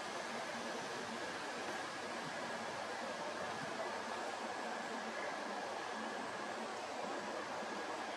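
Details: Steady broadband rushing noise, like wind or running water, fills the whole recording with no animal voice standing out.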